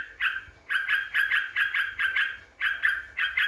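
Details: Yellow-vented bulbul song played as a lure to provoke rivals: bursts of quick, gurgling chattered notes in short groups separated by gaps.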